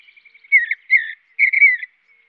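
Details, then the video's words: Mountain bluebird chirps: three soft whistled notes, each a husky downward-slurred chirp about a third of a second long, spaced roughly every half second, following a faint thin whistle; no other sounds. "Mountain Bluebird Chirps"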